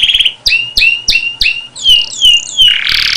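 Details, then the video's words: Canary repeating sharp upslurred notes about three times a second, followed by swooping whistled notes and a final buzzy roll. "When the canary bird sings عندما يغرد طائر الكنارى"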